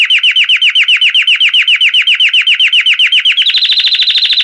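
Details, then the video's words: A Belgian canary sings a rapid tour of repeated sweeping notes, about seven a second, then shifts into a faster, higher rolling trill. "CANTO CAMPANHIA DO CANÁRIO BELGA"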